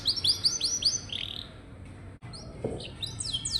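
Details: Canary song to encourage young canaries to sing: quick repeated whistled slurs at first, a quiet gap, then scattered higher descending notes resuming.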